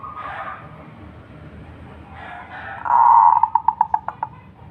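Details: Singing local zebra dove from Indonesia: after soft murmurs, a loud sustained coo breaks into a series of about seven short, evenly spaced pulsed notes that fade at the end.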